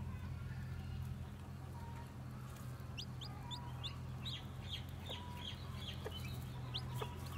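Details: Newly hatched white, black-tailed Japanese bantam chicks walking about: thin, high, downward-slurred peeps come in a quick scattered run after the third second, with a few faint lower notes over a constant low hum.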